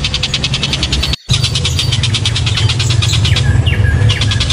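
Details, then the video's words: Loud, sharp-voiced kingfisher (tengkek buto) used to excite other birds in training. Quick repeated piercing notes form a rattle, cut by a brief silent dropout, then resume, with a few short slurred notes near the end and low hum throughout. "TENGKEK BUTO HOROR!! BIKIN NGILU PASTI BURUNG LAIN GACOR EMOSI"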